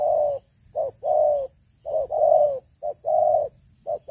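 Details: Close, loud cooing from a caged spotted dove used as a lure for wild doves; soft hollow notes in pairs, a brief lead-in note then a sustained coo, repeated rhythmically with short gaps.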